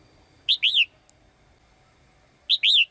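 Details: Female caged bird singing brightly to call the male: two phrases two seconds apart, each a short chirp and a longer wavering whistle, with a faint tick between.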